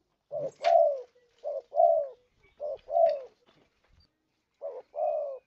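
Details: Spotted dove lure call in four phrases, each a clipped low coo leading into a drawn-out, gently descending coo, with a faint click near the start.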